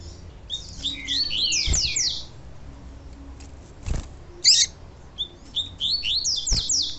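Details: Tui tui song of the double-collared seedeater, paired with a female's call used to rouse the male: clusters of high, fast descending whistled slurs and chips, separated by soft gaps and a few low thumps.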